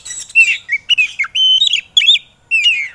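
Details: White-rumped shama singing on a training recording for lazy kacer birds: clear sustained whistles, a flat held note mid-clip, short slurred warbles and a final falling whistle.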